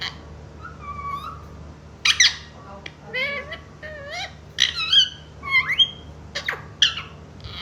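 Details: Pet green talking parrot from India, indoors in a small room, mimicking the words mummy and papa: short squeaky, harmonic vocal bursts with rising and falling whistled inflections, several separate phrases spread across the recording over a low steady hum.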